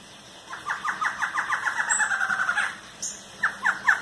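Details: Barred antshrike giving an accelerating series of nasal notes that merges into a fast rattle, followed after a pause by several more separate, loud, downslurred notes.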